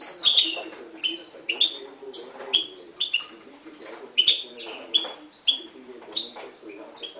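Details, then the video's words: Steady series of sharp, high chirps and brief whistles, roughly two per second, from a 2011 mule of Himalayan goldfinch and timbrado canary parentage, over soft low background noise. "Mule 2011 Himalayan Goldfinch vs canary timbrada"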